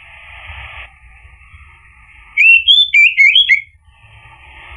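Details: Orange-headed thrush lure recording, played to make a silent male answer and sing. A single loud burst of rich, quickly warbled whistles lasts just over a second, set against a soft, steady hiss of fainter song.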